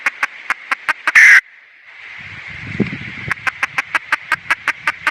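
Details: Red junglefowl hen clucking in a steady rapid rhythm around one loud harsh squawk, over a low rumbling background noise.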